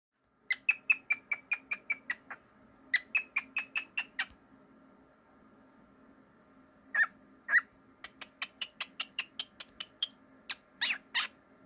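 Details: A pet cockatiel gives bright, slightly harsh chirps in quick runs of about eight, around four per second, with short pauses between runs over a faint steady hum.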